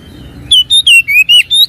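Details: Oriental magpie-robin song meant to make a silent bird answer: six bright whistled notes in quick succession, each slurred slightly up or down, over a faint low background hum.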